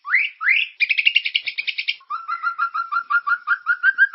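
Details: Lively, characterful white-rumped shama song meant as a singing lure: two rising whistled sweeps, then a rapid buzzy trill, then a long run of evenly repeated lower chipping notes, about three per second.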